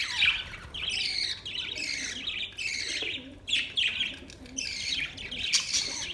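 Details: Budgerigars chirping together: bursts of dense, buzzy warbling chatter in quick succession, each lasting about half a second, with brief pauses between them.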